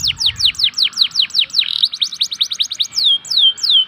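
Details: Local canary giving a lure song to draw quiet canaries into singing. A quick run of descending whistled sweeps leads into a faster twittering trill and ends in two longer, drawn-out falling whistles.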